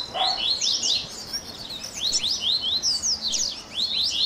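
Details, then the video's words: Captive-style warm-up baderninha of a Double-collared seedeater: short bursts of high, sharply slurred chirps and whistled sweeps separated by brief pauses, with a faint low tone underneath. "Baderninha de Coleiro Top FAÇA SEU COLEIRO CANTAR em 30 Minutos - Esquenta de Coleirinho!"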